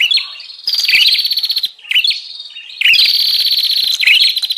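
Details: Bar-winged prinia lure call for wild birds: soft opening chirps, then loud buzzy trilled phrases with sharp chirps, three main bursts, the last long and sustained.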